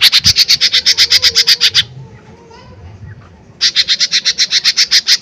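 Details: A lively lesser green leafbird, used to provoke response from other birds, pours out rapid volleys of sharp high chips, about fifteen per burst, separated by a quiet pause with faint low sounds.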